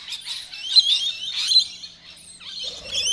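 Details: Many rainbow lorikeets, feisty and aggressive while feeding in suburban Melbourne, give a noisy mix of piercing screeches and rapid chatter. Bursts rise and fall, and a lower rasping note comes in near the end.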